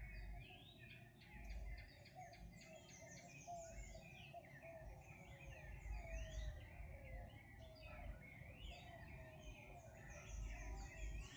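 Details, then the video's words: Morning chorus of wild birds: dense overlapping chirps and repeated zigzag whistled notes, several per second, over steady low background noise. "sonidos de las aves en la mañana"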